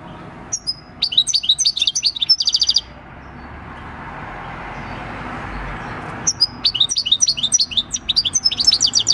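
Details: Wild-caught six-year-old European goldfinch, a field bird, recorded 26 December 2019 singing its natural countryside song: two bursts of rapid, high, tinkling twitters and trills separated by a few seconds of quiet hiss.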